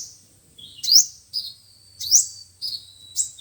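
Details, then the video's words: Sunbirds, the five-colored and seven-colored kinds, singing as speaker playback used to lure birds for trapping: thin high chirps and sharp upward-sweeping notes in short bursts about once a second, with a faint low hum beneath. "Tiếng chim hút mật 5 màu và 7 màu"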